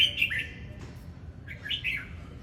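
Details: Two quick warbled whistle phrases from a red-whiskered bulbul singing during display, bright and slightly slurred, separated by a short pause with soft background hum.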